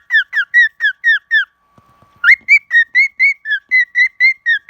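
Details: Pet cockatiel (Nymphicus hollandicus) singing: a quick run of clear, downslurred whistled notes, a pause, then another series.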